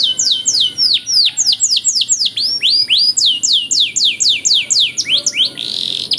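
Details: Master song for training canaries: a lively series of sharp, downswept notes repeated about four per second, closing with a brief harsh buzzy note.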